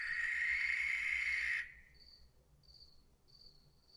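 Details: Barn owl giving a harsh, rasping screech that lasts about a second and a half, then cuts off abruptly. Thin, steady insect chirring continues in the background afterwards.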